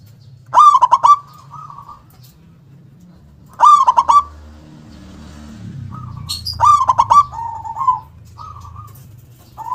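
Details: A local zebra dove, in active song with a big, forceful voice and punchy 'kung' note, repeats a rapid bubbling coo phrase about every three seconds, trailing into short softer coos. Low rumbling noise in the middle.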